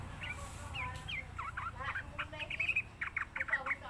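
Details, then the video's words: Sooty-headed bulbul lure recording used as therapy and tutoring for young birds: a lively series of quick looping and slurred notes, growing denser and louder toward the end, over faint background rumble. "suara pancingan trucukan belajar bunyi"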